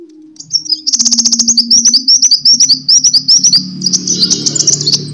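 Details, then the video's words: Sunbird fighting song used to lure and train birds (pancingan kolibri tarung). A sustained, rapid series of high chirping trills with clicking pulses, ending in a denser warble over a low background drone. "Suara: -*BuRunG*- [Pancingan] ( KOLIBRI TARUNG ) BUAT MASTER"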